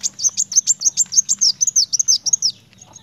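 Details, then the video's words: Continuous 'gacor narung' song of a kolibri wulung sunbird: a dense, hurried chain of high, squeaky chirps, some doubled, about six per second for two and a half seconds before fading. "Kolibri wulung gacor narung!"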